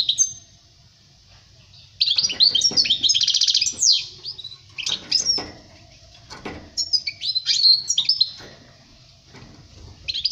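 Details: European goldfinch singing for young birds learning their song: a faint thin note, then loud bursts of liquid twittering and buzzy trills from about two seconds, broken by short gaps and some rustling clicks.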